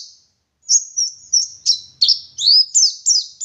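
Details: Oriental white-eye of local West Javan stock singing: after a short silence, a steady series of high, sweet downslurred whistles and twittering notes, about three per second.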